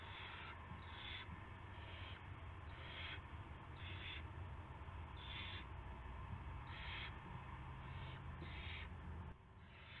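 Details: Owl at its nest about 5:20 AM on 9 March 2016 as a rat arrives; repeated breathy screeching hisses, roughly nine bursts in ten seconds, irregularly spaced, against steady low hum that drops off near the end.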